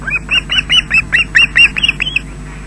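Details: Loch Garten osprey, Scotland, adult feeding fish to chicks at the nest on 20 June 2012 just after 13:20, filmed by webcam: about ten rapid, bright, down-curving whistled yelps in a steady chattering run.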